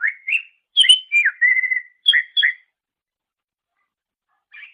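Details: Greater green leafbird song for training songbirds as a master recording: clear rising whistles, a down-slurred note and a short steady trill, then two sharp whistles, a silence and a faint final phrase.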